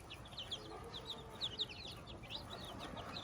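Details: Brood of chicks with a hen on a farm, quick high peeps, some doubled, repeated irregularly by several chicks over quiet background noise.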